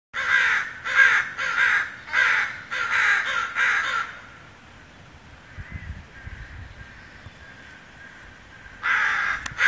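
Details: A crow on the Wildwood Trail in Portland, Oregon, on June 26, 2011, gives loud repetitive harsh "koww" caws, about six in quick succession, then a pause before one more caw just before flying away.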